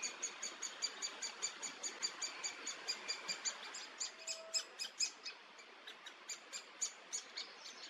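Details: Great spotted woodpecker feeding its young in Region Hannover, Germany, June 2022: a steady series of short, high, sharp notes repeated about three times a second over a faint background hiss.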